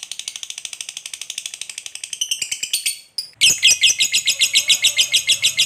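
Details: Lovebird giving its long ngekek chatter, used to prompt other birds to sing: a fast run of high buzzy repeated notes that turns abruptly louder and harsher after a brief break, pulses continuing at a steady rapid rate.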